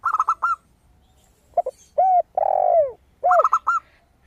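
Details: Zebra dove singing with a clear, crystal tone: a fast string of four or five high, staccato coos at the start and again near the end. Between them come deeper, arching coos and a long falling note from another dove.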